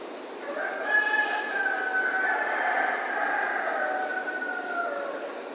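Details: Rooster crowing at dawn in Ipanema: one long drawn-out cock-a-doodle-doo held for several seconds, slightly rising then tailing off, over a steady hiss of background noise.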